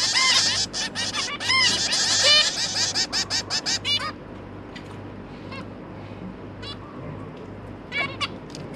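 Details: Zebra finch pair feeding three juvenile babies; an intense run of rapid nasal calls for four seconds, then quieter, widely spaced single calls over a low electrical hum.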